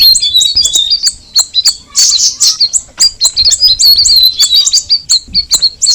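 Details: Cucak rawis, the straw-headed bulbul, singing a busy high chatter of quick chirps, with a short harsh burst in the second second and then steady rapid notes to the close.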